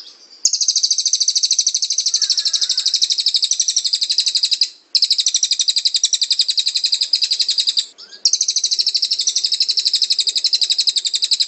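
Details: Cililin song recording used for training cage birds: high rapid chattering trills, about four notes a second, in three long bursts with brief pauses. Cililin song.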